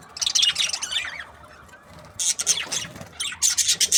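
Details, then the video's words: Chirping from a budgerigar breeding pair: a burst of rapid scratchy warbling, a quiet pause, then dense clicking and buzzy chatter. "Happy budgies chirping sounds | parakeet breeding pair"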